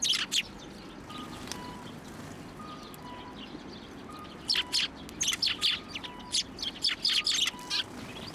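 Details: Sparrows coming onto a hand to be fed at a Tenmangu shrine, 1 January 2024. A few chirps open, a quiet gap follows, then rapid chirps crowd the second half, with a faint steady tone repeating behind.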